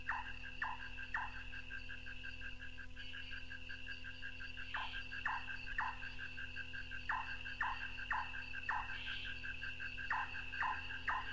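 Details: Large-tailed (white-tailed) Nightjar in North Queensland tropical rainforest, mostly recorded on the Paluma Range north of Townsville, from an old cassette: hollow, knocking 'chonk' notes, about two a second in short runs, like distant wood-chopping, over a steady high insect whine and low hum.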